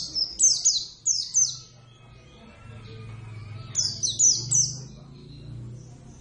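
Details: Hand-reared Oriental white-eye, Zosterops palpebrosus javanus, singing eagerly: two runs of four rapid, high, falling chirps, each run about a second long, with a pause between and faint low hum beneath.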